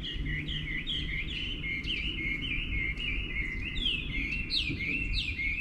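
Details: Morning wild bird song, recorded 24/05/11, with rapid chirping and twittering notes that rise and slide, growing busier toward the end, above a low environmental hum.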